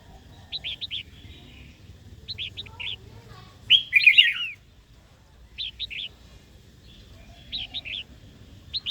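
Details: A female red-whiskered bulbul calls to excite a wild-caught male to sing and fight; short groups of sharp triple chirps recur every second or two, interrupted by one loud tangled phrase.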